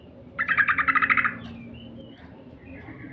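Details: Lure call of the yellow-vented bulbul for stimulating song: a rapid rattling chatter of about a dozen evenly spaced notes in one second, followed by soft background sounds.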